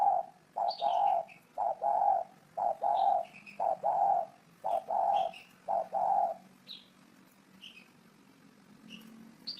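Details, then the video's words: Repeated mellow coos from a spotted dove, delivered in even bursts for about six seconds before fading. Scattered high, descending chirps from other birds continue into the quiet end. "Tổng hợp tiếng chim cu gáy hay năm 2018"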